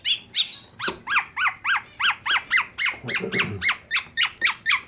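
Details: Black-naped Oriole, tame and singing actively in Klaten, Central Java, delivers a fill phrase of repeated V-shaped chirps, rising then falling, about three or four per second, with a brief low rustle midway.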